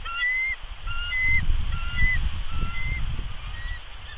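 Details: Female bald eagle on her Big Bear nest, February 2020, giving warning vocals toward a nearby intruding eagle. Softer, shorter whistled notes repeat about every half second, partly masked by a heavy gusty rumble.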